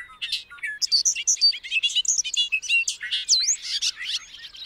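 Bobolink pouring out its bubbly, tumbling song: a rapid jumble of metallic, buzzy notes and sweeping whistles, with no pause through the whole clip.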